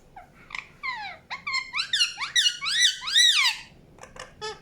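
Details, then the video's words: Indian ringneck parakeet chirping in a continuous chattering string of rising and falling harmonic notes, swelling into loud arched squawks before closing with short clipped chirps. "PARROT CHIRPING SOUNDS | NATURAL SOUNDS PARROT CHIRPING"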